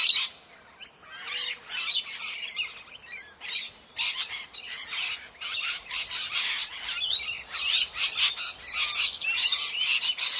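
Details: A morning gathering of parrots keeps up rapid, rasping squawks and chatter for the whole stretch, the calls packed closely together and rising in loudness toward the end.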